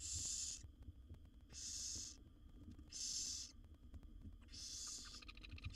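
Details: Barn owl nestlings in a nest box, one of seven wild owlets fed by their mother, giving loud rasping hissing begging calls about half a second long, four bursts spaced evenly over a quiet low background hum.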